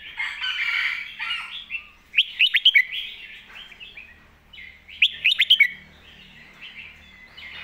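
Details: Red-whiskered bulbul master song for teaching young birds: rapid bursts of loud, sharp whistled notes around two and five seconds, set against a steady background of softer warbling chatter.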